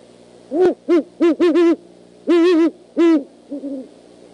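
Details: Great Horned Owl at the Decorah eagle nest rails at night, 11:20 PM on 25 January 2015, calling back and forth with another: a run of deep, muffled hoots, some short, some drawn out, in an irregular series.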